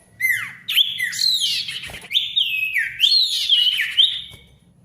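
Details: Male ashy tailorbird in lively, noisy gacor song, used to coax silent tailorbirds back into singing: bright whistled notes sliding down and up, run together in quick bursts with brief buzzy flourishes, faint low hum beneath.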